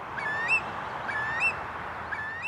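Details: In summer in Finland, a Eurasian curlew walking behind tall grass gives loud, sharp rising alarm calls about once a second at an approaching person, suspected to be warning them off a nearby nest, over steady wind-like noise.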